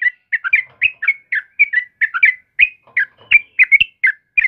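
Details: Sooty-headed bulbul (trucukan kebo) singing lively in the morning, a steady stream of short bubbly whistled phrases, each note dipping and rising, about three per second. Faint low thumps sit underneath.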